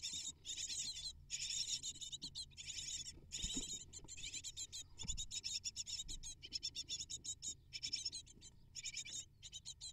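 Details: Eight hungry great tit nestlings begging while both parents bring prey to the nest, a dense high-pitched chorus of rapid, raspy chirps coming in bursts with short gaps, plus low rumbling from the nest box.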